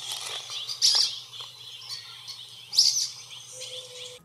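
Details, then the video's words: A Sulphur-bellied Flycatcher, seen out in the open one morning at Ramsey Canyon in southeastern Arizona, gives two shrill, squeaky-toy calls about two seconds apart, over faint chirps and a low hum. "the sulfur bellied flycatcher is known for its bright coloration and distinctive call which sounds similar to a squeaky toy"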